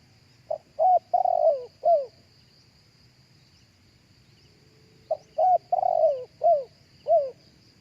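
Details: Two matching phrases of spotted dove cooing, about four seconds apart, each five mellow notes, short opener, rising coos and a long falling croon, recorded live as a lure for other doves, with a steady high-pitched insect whine behind.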